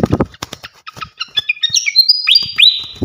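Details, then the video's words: Flycatcher whistling to train champion songbirds: after a series of knocking clicks, clear high whistled notes and downslurred chirps in a fast, varied sequence, with more clicks at the end. "gacoan ngeplong masteran asah mental burung jawara khas srikatan kipas"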